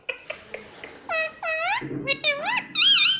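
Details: Pet Indian ringneck parrot talking indoors, mimicking words such as mummy and papa: a run of short clicks, then clear harmonic, whistled-sounding syllables rising and falling in speech-like bursts.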